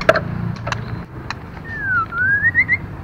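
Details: Female white-rumped shama, used to stimulate other birds, starts with knocking and tapping sounds. A single long whistle then dips down and rises again, ending in quick wavering notes.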